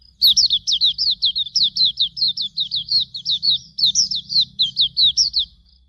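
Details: Hume's white-eye singing a training song for cage birds: a steady run of about two dozen high, sharply down-slurred whistled notes, roughly four per second, over a faint low hum.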